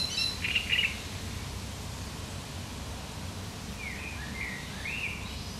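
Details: A great reed warbler sings its harsh, chattering song, recorded 1 July 2020. A bright, grating burst comes first, then after a pause a run of short, rasping upward-swept notes over steady background hiss.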